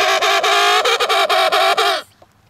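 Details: Emperor penguin on the sea ice between Cape Evans and Cape Royds, giving a loud, harmonic, buzzy call broken into rapid pulses for about two seconds, then silence.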